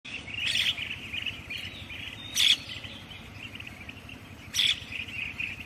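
A Common Myna gives three harsh, scratchy bursts about two seconds apart over a steady high chirring background.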